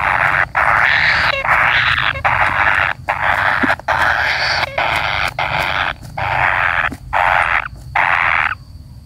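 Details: Young kingfisher waiting for a parent to return, calling in a steady run of loud, hoarse, hissing rasps, about one per second with brief breaks, for nine seconds.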